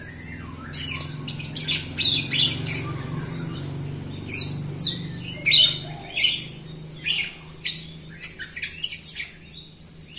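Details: Jalak Rio myna singing, used to coax reluctant Jalak Rio birds to sing; a series of harsh scratchy bursts and sliding squeaks, spaced about a second apart, over a low hum.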